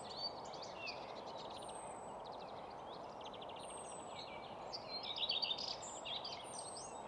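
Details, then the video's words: Singing common redstart at Nysved in Norra Järvafältet, mono Sennheiser and Zoom F6 recording: several quick twittering and rattling phrases, the loudest near the end, amid high drawn whistles from other birds and steady background hiss. "Common Redstart at Nysved"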